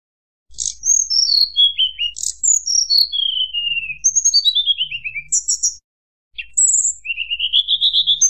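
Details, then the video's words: Mountain tledekan singing to provoke rivals: clear whistled phrases that step downward in series of descending slurred notes, repeated several times, ending with a rising whistled run after a brief pause. "tledekan gunung nyuling bikin lawan emosi"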